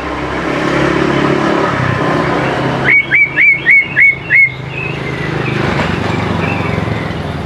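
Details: Energetic greater green leafbird song used to prompt young birds to sing along: a tight burst of six bright, hooked whistled notes in quick succession, set against a constant low droning hum.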